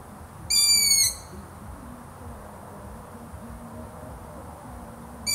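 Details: Long-eared owl: one high, harsh squeak of about half a second with many overtones and a small drop in pitch, followed by the start of the next after roughly five seconds, over a low murmur.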